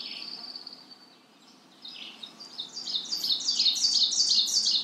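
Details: A thin sustained high note from a Magnolia warbler gives way to a rhythmic, steadily repeated series of bright stepped syllables that grows louder over the last three seconds, with a steady background hiss.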